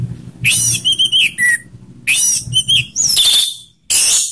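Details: Orange-headed thrush rough and slow song mix intended to draw kept birds into singing: repeated phrases of buzzy notes and clear whistles, ending in a harsh high burst, over a low hum.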